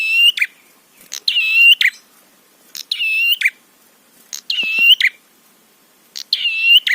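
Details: Rival-provoking prinia song: five or six reedy buzzing notes with clicking onsets and scratchy tails, delivered at irregular intervals of about one to two seconds.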